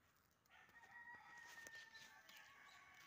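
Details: Indian peafowl in Kerala, India, giving a faint, drawn-out nasal wail with a steady, slightly falling tone held for about two seconds, then trailing off; quiet background otherwise.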